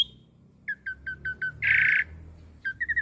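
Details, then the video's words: Asian pied starling song meant for young birds to copy: a row of short clipped whistled notes, a loud harsh buzzy burst, then more clipped notes. "Masteran Jalak Suren Muda Agar Cepat Masuk Materi Mudah Di Tiru"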